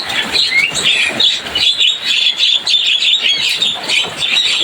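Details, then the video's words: Javan myna song: a dense, unbroken stream of harsh, squeaky chirps and buzzy high notes, busy and lively throughout, with no pauses. "Suara burung jalak kebo cuitannya bikin rame."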